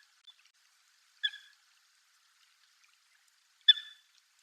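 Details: A wild Eurasian coot (Fulica atra) gives two sharp, metallic notes about two and a half seconds apart, the second louder and slightly drawn out, against a quiet background.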